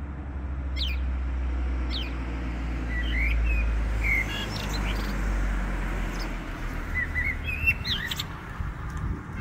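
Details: On 6 February 2023, a Common starling perched in a tree, maybe taking it for spring already, gives a loose string of thin whistles, short chirps and clicky notes, several a second, over a steady low rumble of wind or distant traffic.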